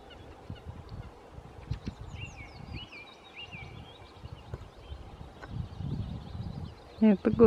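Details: Common snipe, a long-billed bird found and listened to in the field just before it flew off: a short run of clipped, repeated high notes lasting about two seconds, with quiet rustling, low handling noise and sharp knocks near the end.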